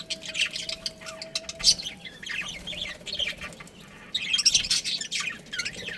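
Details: Breeding pair of budgies twittering in quick, chattering phrases, with a quieter middle stretch and a renewed burst of high chirps toward the end over low background noise.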